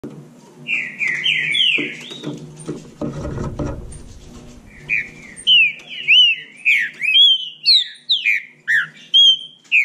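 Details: Bahia saltator singing in competition with another bird: clear whistled phrases of slurred, bending notes near the upper-middle register, delivered in quick bursts, with a brief low rustling thump midway.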